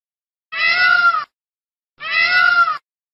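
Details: Two loud, wailing peacock calls, each about three quarters of a second long, with a slightly falling, nasal tone and clear overtones, separated by a short pause.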